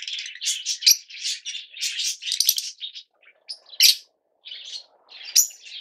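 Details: Captive Yellow Fischer's lovebirds trade quick shrill chirps and rasping squeaks in a busy run, then sparser single sharp calls after a short lull.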